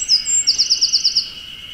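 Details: Eurasian wren perched atop a dead tree in Oku-Chichibu, Japan, recorded on a Nikon Z50II: two thin high whistles followed by a fast trill of about seven bright, evenly spaced pulses, with a steady hum behind.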